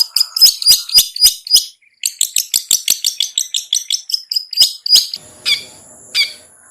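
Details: Long-tailed shrike in the ngetet style, played as a lure for sluggish, reluctant shrikes: loud, rapid chattering of sharp high clicks and squeaks, brief pause, then buzzy sustained notes with harsh bursts.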